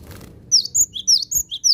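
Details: Javan sparrow calling to lure wild birds, a run of short high chirps from about half a second on, each note sharply downslurred, given in quick succession with brief gaps between.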